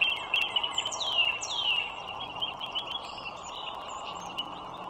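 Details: Two wild bald eagles by a toll road in northern Virginia, 21 March 2023, around 9 a.m.: thin whistled notes sliding steeply downward, two in quick succession, then softer chatter over constant traffic-like rumble.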